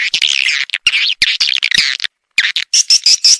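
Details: Edible-nest swiftlet lure sound for drawing birds into a swiftlet house: dense, high buzzy twittering chirps in quick bursts, broken by short clicks and a brief silence near the end.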